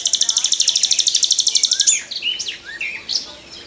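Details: Morning nightingale song from a tree: a fast pulsing series of repeated high notes for two seconds, then scattered sweet whistled and slurred phrases.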